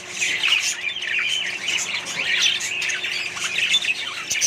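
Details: Budgerigars in a mixed colony give loud rasping squawks and twittering warbles, with many voices overlapping in a continuous, busy chorus.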